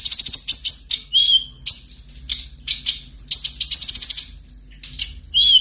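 A sunbird sings a fast, sharp string of high, thin chips and trills, with a couple of brief clear whistled notes in between.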